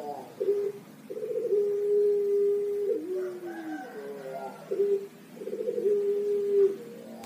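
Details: Young Pelung turtle dove, a native bird of Java, Indonesia, singing a long, melodious song: pulsed notes leading into drawn-out, steady coos, then a falling slur and shorter notes, the phrase repeating twice in a quiet room.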